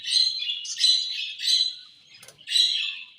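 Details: Eating budgies give a few loud, high, slightly squawky chirped phrases, with a short pause and a faint click before a final chirp.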